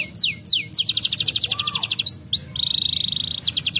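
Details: Brown canaries singing, meant to spur lazy canaries into song: mixed sharp sweeps, a fast trill, a lower slurred whistle, then a long, rapid buzzy rattle of closely spaced notes.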